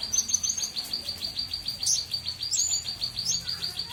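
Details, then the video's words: Small bird in full, lively song: fast trains of sharp, high, thin ticking chirps, some briefly rising into higher squeaky notes, running almost without pause across the whole recording against a quiet background. "burung kecil Gacor"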